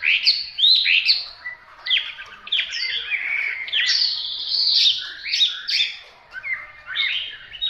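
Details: Hwamei singing continuously, a rich varied run of loud whistled phrases, rapid slurred notes and trills sweeping up and down, with brief pauses between bursts; no other sounds stand out.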